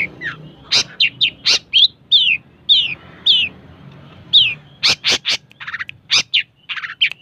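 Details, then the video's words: Long-tailed shrike in full song, mixing downslurred whistled notes with sharp, high snapping clicks in a lively, uneven sequence of roughly a dozen phrases. "Burung cendet gacooooor"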